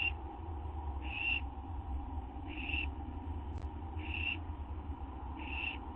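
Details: Owl receiving a food treat of gopher or vole, 8 September 2011 at 12:38 AM: five harsh breathy bursts about 1.3 seconds apart, one brief click midway, over constant low background noise.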